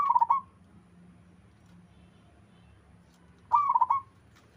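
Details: Local wild zebra dove singing lively with others responding: two rapid pulsed cooing trills, one at the start and another about three and a half seconds later, over a faint low hum.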